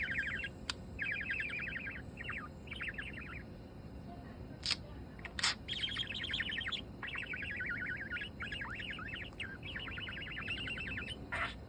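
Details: Yellow hand-tame budgerigar chattering to itself, with runs of rapid, rhythmic warbled notes in repeated bursts and a few sharp clicks over steady background hiss.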